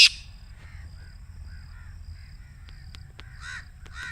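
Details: Black Francolin voice meant to be played from a little distance, ideally in the morning, to make a kept francolin start calling: harsh, grating bursts at the start and near the end, with faint thin chirps and clicks between and a low rumble.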